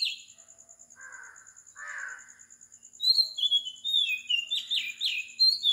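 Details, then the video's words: Oriental magpie-robin singing at 4 am in the morning on a tropical island in Sri Lanka: a few lower buzzy notes, then a run of varied whistled phrases around the upper range, with a steady high insect-like tone behind. "Magpie Robin Singing"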